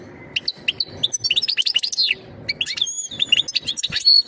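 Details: European goldfinch giving mating calls to prepare the female for breeding: spaced chirps at first, then a lively tumble of slurred notes and twitters, ending in a sustained buzzy note.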